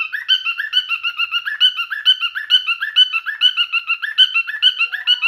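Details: Male cockatiel sings to a female as mating behaviour, delivering an even, bouncing series of whistled warbled notes, around two per second, with no background sounds.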